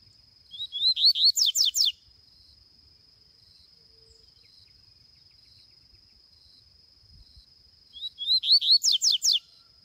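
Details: Double-collared seedeater roaming in the bush gives two bursts of bright song, each a quick run of about eight high, sweeping chirps lasting under two seconds, over a steady thin high whine.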